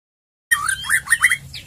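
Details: White-rumped shama singing a fast lure song in the ngeriwik ngeplong style, used to prompt other shamas into full song; after silence, a brief run of rich, looping whistled notes rising and falling, with fainter high trills above.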